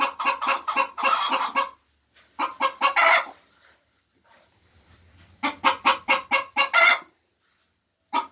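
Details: Laying hens cackle in bursts: quick clucks rising into drawn-out squawks, a quiet gap with a soft low rumble, then another burst of clucks ending in a squawk.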